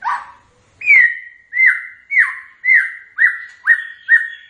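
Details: White-rumped shama song: a series of loud, clear whistled notes, each sharply rising then held level, repeated about every half second, slightly quickening toward the end.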